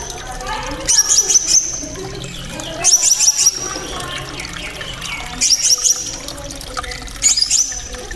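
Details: Blue-crowned hanging parrot (srindit) giving its 'isian cililin' material: four clusters of rapid, very high, sharp chittering notes, each lasting about half a second, spaced roughly two seconds apart over running water.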